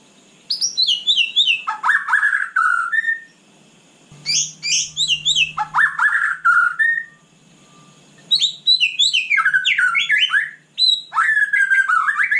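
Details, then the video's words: White-rumped shama singing energetically at night. Three long bursts of varied whistles, trills and high twitters are separated by silences, with a brief low hum in the second burst. "Kicau malam murai batu super GACOR"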